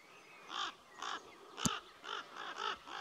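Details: Common raven parents near their nest in a noisy row with two neighbouring nesting crows, staged to keep an intruder beyond 150 m. Harsh, harmonic caws come about every half second, six in a row, with a sharp click in the middle.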